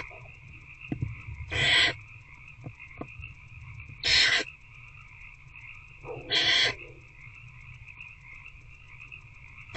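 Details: Night in a barn owl nest box, 19 February 2024 after 9 pm, adult feeding an older owlet; three loud, wheezy hiss bursts about every two and a half seconds, light clicks and a steady hum.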